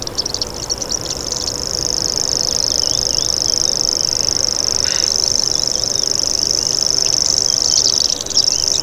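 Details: Common grasshopper warbler delivering a steady, insect-like, high-pitched reel that runs unbroken for most of the clip, with a brief fainter lower note near the middle and soft background chirps.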